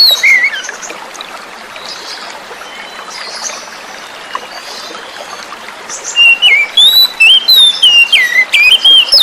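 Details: Oriental magpie-robin (kacer), wild-caught, song used with flowing water to coax a silent bird to sing: trickling stream throughout, a brief whistle at the start, then a run of loud sliding whistled notes near the end.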